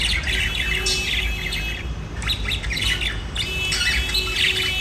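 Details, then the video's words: Budgerigars singing and chirping: dense overlapping bursts of high, scratchy chirps and warbles, several birds chattering together almost continuously, over a steady low background hum. "Budgies singing and chirping"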